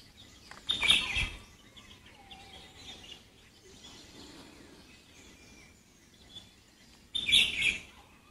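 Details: Indian pitta, not the perched bird but another one in the background, gives two loud, clear whistled bursts about six seconds apart, over soft calls of other birds.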